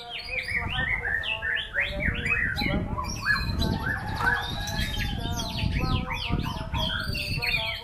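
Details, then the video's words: White-rumped shama (murai batu) performing a showy, fast-flowing song, rich whistled phrases that sweep up and down, with steady low tones beneath and heavy low rumbling noise throughout. "Aksi MURAI BATU SNIPER memukau ngeplay dengan irama lagu mewah"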